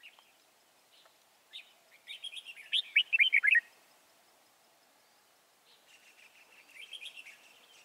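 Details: Red-whiskered bulbul song recorded while trapping wild bulbuls at Chùa Hương, Vietnam, 24 March 2018: a few single notes, then a fast chattering run of bright warbled whistles, later a softer rolling phrase.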